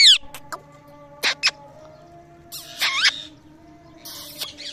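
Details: Parrot making various noises: sharp clicks and brief harsh squawks scattered through, then a longer raspy chattering burst and a noisy hiss-like call, over a low steady hum.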